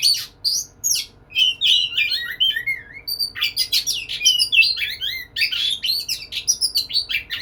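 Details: White-rumped shama, a lively singing bird courting a female: a rapid, varied run of whistled phrases and sharp chirps, mostly high-pitched, with short rising and falling slurs crowding one after another and barely a pause.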